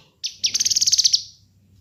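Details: Kinoi bird master recording for luring: one bright trill of about a dozen clear, rapid, high notes. A faint low hum sits underneath.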